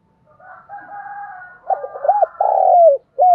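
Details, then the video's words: Spotted dove, used to spur wild doves into cooing: a soft, low, steady introduction leads into quick rounded hoots, then a long loud falling note and a final short coo. "cu gay kich boi nhanh noi gù"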